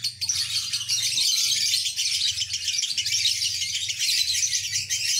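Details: Extended ngekek song of a lovebird, a continuous high rattling chatter with slight swells in loudness, running the full five seconds above a low background hum.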